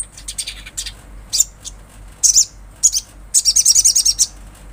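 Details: Olive-backed sunbird, said to be natural and used to stir breeding mood: scattered high, sharp chips, then a quick run of about ten evenly spaced, bright, ticking notes.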